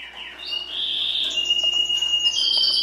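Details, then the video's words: Brief Timbrado canary song from a domestic singing breed: a low slurred note rising into long steady whistled tones, with a soft rolling texture and quiet background noise. "CANARY SINGING"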